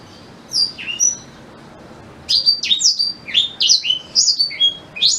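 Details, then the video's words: Song of a black-throated canary, used to train white-rumped shamas. A few high slurred whistles, a two-second pause, then a fast, lively string of bright, sweeping chirps and whistles until the end. "Suara Asli Blackthroat Pas Buat Guru Murai Batu"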